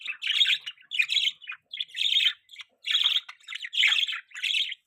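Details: Pet budgerigar chirping, described as a mating call: harsh, buzzy chattering bursts with scratchy warbled notes, about one burst per second, each lasting under half a second, with brief silent gaps between.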